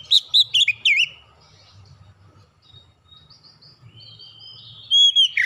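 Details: Oriental magpie-robin lure song, used to set birds singing and reveal their repertoire: a fast, bubbling series of looped whistled notes, a long soft interval of faint distant sounds, then a final burst of clear whistles.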